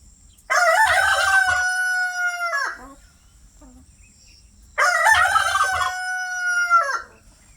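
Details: Pastured free-range rooster crowing twice, each crow a loud, harmonic-rich cock-a-doodle-doo lasting about two seconds with a long sustained ending, separated by a quiet pause with faint low rumbles.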